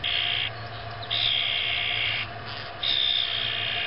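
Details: 3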